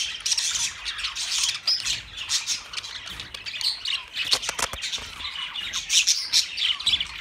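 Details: Budgerigars chattering together in a dense, continuous stream of high scratchy chirps, squawks and warbles, overlapping throughout with brief louder bursts around the middle.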